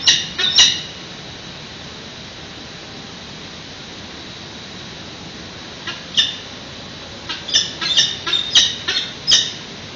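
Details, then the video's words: Peregrine falcon chicks at a San Francisco nest webcam, being fed on the morning of 13 June 2017 at 8:35: harsh, high squealing begging bursts at the start, then a quiet gap, then a rapid cluster of squeals. "6/13/17 8:35 am feeding; SCPBRG Falcons: SF PG&E peregrines"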